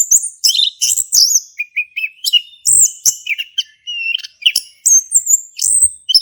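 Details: Ngeplong-style song of a caged male orange-headed thrush from Indonesia, played to encourage another thrush to sing; continuous fast medley of piercing whistles, rising and falling slurs and buzzy chips, barely pausing.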